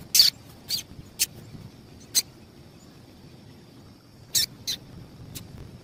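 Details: Female double-collared seedeater giving calls used to excite males. About seven short, high chips, bunched in loose clusters with pauses, over faint hiss.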